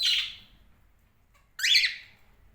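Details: Cockatiel making two loud, harsh screeches about one and a half seconds apart, each a broad grating burst that fades away, with near silence between them.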